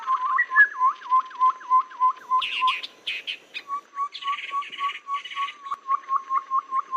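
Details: Babbler trapping lure, said to suit rainy and dry seasons. Fast repeated notes lead into loud scratchy chirping bursts, then a long, regular series of short notes repeated about three times a second.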